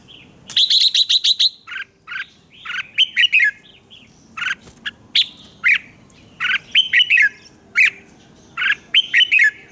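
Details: Morning song of a red-whiskered bulbul kept as a training voice: a rapid chattering run of notes, then many lively warbled whistled phrases repeated in quick succession.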